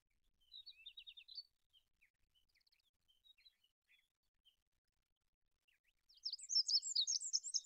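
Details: Olive-backed pipit song: scattered thin high chirps and a short trill, a quiet gap, then a loud, dense burst of very high twittering notes at the end.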